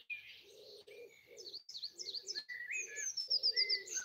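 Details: Birds singing in trees at the end of a house in Broadford, Kildare, Ireland, early on Easter Sunday 2020; soft low cooing repeats beneath varied high chirps, ending with a quick run of bright piping notes.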